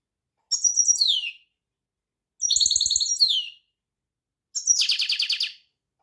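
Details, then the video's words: European goldfinch singing three phrases about two seconds apart: two tinkling twittery runs that slide lower at the end, then a harsh rolling buzz. Soft clicks sound beneath. "طائر الحسون # Singen Ganari Vogel"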